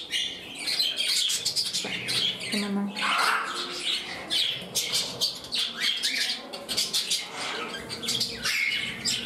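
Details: Pet budgerigars in a new home, one courting and another reclaiming its spot beside the same bird. A lively, sustained warble of clicks, chirps and squeaky whistled phrases, with a low voice briefly in the background.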